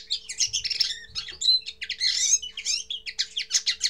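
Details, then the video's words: A common linnet's first song: loud, continuous chattering twitter of quick varied notes, rattling trills and pulsed phrases running almost without a break, with a soft background hum. "Первое пение коноплянки"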